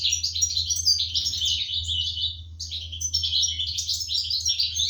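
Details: Begging of European goldfinch nestlings being fed by adults in a cage, 2023: insistent, high squeaky chirps pouring out in two long waves with a brief lull between, low hum throughout.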